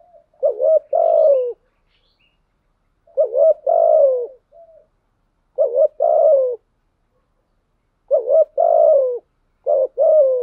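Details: Spotted dove kept as a decoy bird, 'giọng thổ' voice type, cooing without pause. Five clear phrases, each a brief upward note followed by a sustained descending coo, spaced about two and a half seconds apart.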